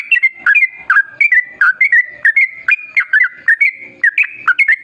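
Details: Yellow-vented bulbul pouring out a long, fast song meant to lure other bulbuls into singing: rich, bubbling whistled notes jumping between higher and lower tones in rapid, steady clusters.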